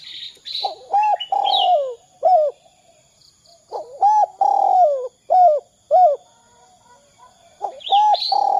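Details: Spotted dove in the 'kuk 2' call style, used to get other doves calling: a series of short coos around a long downward-sliding coo. The series repeats after a pause, with high twittering chirps from other birds.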